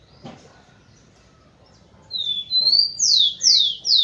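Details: Rufous-collared sparrow male singing to stimulate females: after a quiet opening with a faint tap, two high drawn-out whistles rise in pitch, followed by three loud, sharply descending slurred notes, then a fourth beginning.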